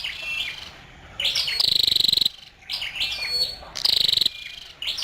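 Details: A female scarlet-backed flowerpecker gives high, fast-pulsed buzzy calls of under a second, each introduced by sharp chips and thin whistled notes.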